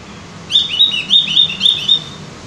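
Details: Javan grey-throated white-eye (opior jawa, cucak gentong) singing a quick run of high, bright chirped notes, each sliding briefly up or down, packed into about one and a half seconds over faint low hum.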